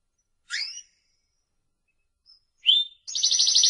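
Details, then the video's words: Spanish Timbrado canary giving two short separate chirps with a long silence between, followed by the start of a bright, rapid, high trill. "el cante del canario timbrado"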